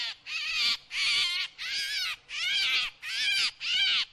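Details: Drongo repeating harsh, raspy notes with arched harmonic bands, about six strong bursts in quick succession separated by brief gaps.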